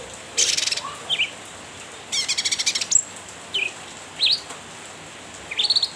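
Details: A cucak ranting, calling vigorously to provoke a rival, gives repeated rapid rattling trills of stacked harsh notes, separated by short upslurred chirps, in a quiet setting.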